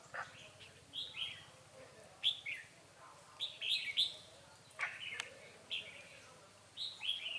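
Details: Wild red-whiskered bulbul calling outdoors on 9 March 2020 during trapping with a decoy: faint, slurred, chirpy phrases repeated every second or so over steady background noise.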